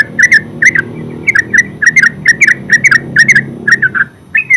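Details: Yellow-vented bulbul (terucuk) singing ngeropel: rapid bubbling chirps with little pause, run together into a lively chatter over background rumble.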